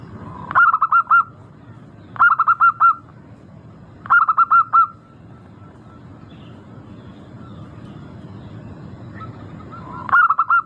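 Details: Zebra dove, local type, sung as a lure to make caged birds start singing: repeated rolling coo phrases of four or five notes, about every two seconds, then a pause before one more phrase.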